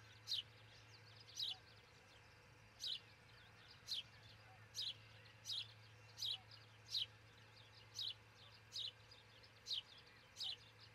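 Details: At an osprey pair's nest in Charlo, Montana, captured by a nest camera early on 22 June 2018: a long run of about thirteen brief high chirps, each sliding downward, spaced roughly every 0.8 seconds over a low electrical hum.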